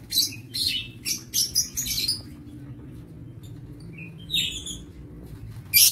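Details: Aviary lovebirds on 22 August 2023 give a busy series of piercing chirps and squeaks in the first two seconds, a pause, then a few more shrill notes and a loud final burst.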